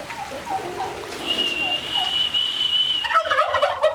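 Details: Turkeys on a farm: soft, low clucking notes open, then a long, steady, high whistled tone, ending in a sudden rattling burst of gobbling with clucks.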